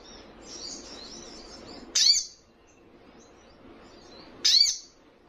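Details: Young sunbird singing to provoke rivals: soft high twittering, then two loud, sharp, high squeaky calls about two and a half seconds apart.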